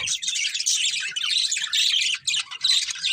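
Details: Birds chirping in the morning: a dense, continuous mass of high, bright twittering notes from several birds at once, with a short dip in the chatter near the end.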